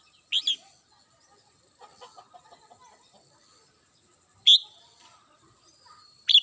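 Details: Red-whiskered bulbul kept at home, morning song: loud bright downslurred notes at the start, middle and end, separated by soft, low, clucking and chattering sounds in between.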